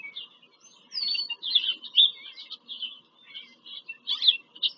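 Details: Bald eagles at their nest in PA Farm Country, Pennsylvania, on 5 February 2023: rapid, squeaky chittering calls in tight clusters, with a few sliding whistles in between.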